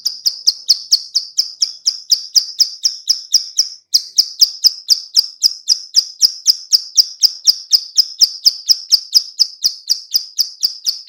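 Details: Clicking call of a female bar-winged prinia, used as a lure: steady, sharp, high clicks repeated roughly twice a second for eleven seconds, broken once by a brief gap.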